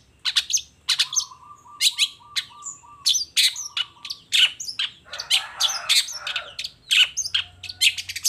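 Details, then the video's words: Long-tailed shrike singing actively in the morning, running through its repertoire with 'toet toet' notes: rapid varied high chirps and sharp clicks over a low, flat whistled tone in short pieces, then a buzzy rasping burst midway. "Suara Cendet Gacor Di Pagi Hari Toet Toet Bongkar Materi"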